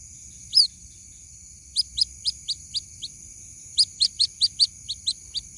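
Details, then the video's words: White-breasted waterhen chick calling to its mother, from a lure recording: a lone sharp peep, then two evenly spaced runs of high, upward-slurred chirps. A faint continuous high whine sits in the background. "SUARA ASLI PIKAT ANAK BURUNG RUAK RUAK MEMANGGIL INDUKNYA"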